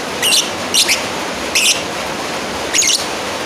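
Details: Calling a rival, a lovebird utters four raspy, high, chattering shrieks, each lasting about a quarter second, separated by pauses of up to a second, with background hiss.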